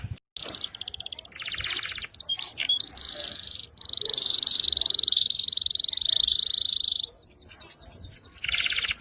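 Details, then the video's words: AFS-type canary in energetic song meant for teaching other birds: short buzzy trills, then a long unbroken high rolling tone lasting about four seconds, followed by quick descending notes and a lower buzzy burst. "kenari afs gacor | pancingan & masteran burung"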